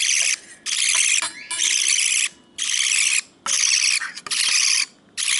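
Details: A hand-raised baby budgerigar, about a week into hand-rearing, gives harsh, raspy begging calls in rapid bursts while being fed.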